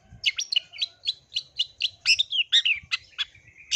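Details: Long-tailed shrike producing bright, slightly slurred chirps and rasping notes in a quick, uneven series, with a brief whistled ending.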